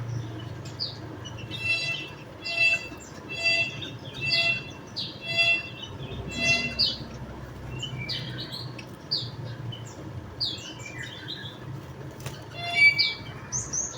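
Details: Javan munia giving buzzy, harmonic-rich chirps in a rhythmic run about once a second, then a scatter of quicker high, downslurred tweets late on, above a low background hum.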